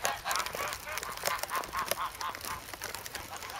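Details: Geese grown from goslings, hungry and noisy in the snow at Sloterpark, Amsterdam, February 3. Quieter, more distant-sounding quick honks, several per second, blurred by background hiss and other birds.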